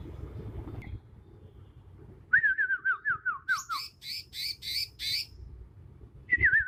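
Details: Young wild Bornean green magpie, natural song before learned mimicry: a trilled run of falling whistled notes followed by five harsh, buzzy high bursts, ending with a wavering whistle.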